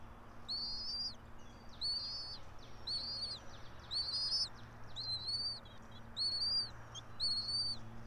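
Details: Bald eagle calling at its pine-top nest about 90 feet up, Johnson City, Tennessee, 06:28, 04.03.2024: seven piping, doubled-sounding whistles in an even series near one per second, over steady background hum.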